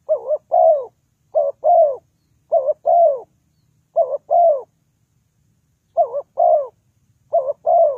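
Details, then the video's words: Steady run of spotted dove coos, played as bait for trapping: paired notes, first a short stuttering coo, then a longer soft coo dropping in pitch, repeated at a regular pace with a clean background. "The Sound Of Spotted Dove is very good,Bẫy cu gáy bằng mồi trồn"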